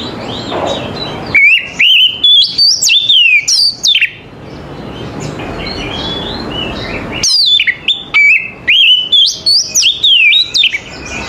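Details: Morning song of an Oriental magpie-robin. Two bursts of rich whistled phrases mix slurred rising and falling notes with rapid chips and trills. A soft rushing background hum fills the gap between the bursts.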